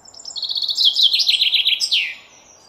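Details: Common chaffinch singing one full phrase: rapid chipping notes that accelerate and descend in a cascading trill, then end in an emphatic downward flourish, lasting roughly two seconds against a quiet background.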